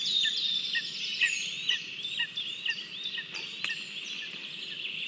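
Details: Lesser spotted eagle chick waiting at the nest in Latvia to be fed, 27 June 2022, after abandoning a small mouse; thin high whistled and squealing notes, some rising and sliding, repeated irregularly with short sharp clicks.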